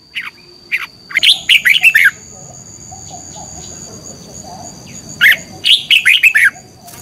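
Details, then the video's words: Morning song of a red-whiskered bulbul, a competition song played to stimulate other birds: a few scattered notes lead into a fast phrase of bright whistles, then a pause and a second similar phrase. "Luyện chào mào hót sáng - chào mào hót đấu"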